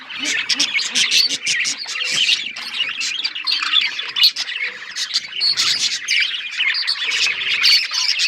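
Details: Budgerigars chirping in a group: bright twittering, scratchy warbles and clipped squawks tumble over one another in a steady, lively chorus.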